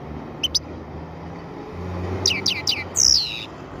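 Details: After its moult, a black-headed European goldfinch gives two high chirps, then a string of quick downslurred twitters and a harsh descending buzzy note, heard over constant low droning background noise.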